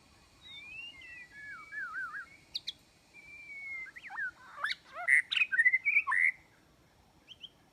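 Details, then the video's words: White-rumped shama song used to lure birds into a trap: wavering whistled notes and curling slides build into a loud, rich run of rapid varied phrases, then brief high chips. "Jebakan burung murai batu"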